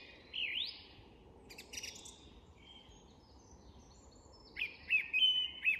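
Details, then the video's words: English woodland dusk chorus with a song thrush: a lone rising whistle, scattered faint chirps, then a sweet phrase repeated three or four times in quick succession. "The Song Thrush & Dusk Chorus"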